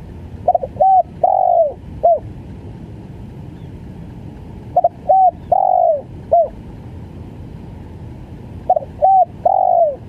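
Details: Spotted dove, locally tekukur, calling in three phrases about four seconds apart, each a stammered double note, a level coo, a drawn falling coo and a short end note, with quiet hum in the background.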